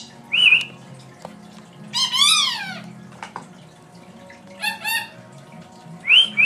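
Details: Pet female lory that mimics its owner's sounds and adds its own calls: a series of clear whistled notes, some with many harmonics, rising then falling in pitch, separated by short pauses, over a faint low background hum.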